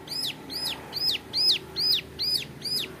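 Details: Young male brown prinia, called ciblek gunung, singing a 'nembak' style song used to tutor other birds: high, sharply arched notes in a regular run, against noticeable low background hiss and rumble.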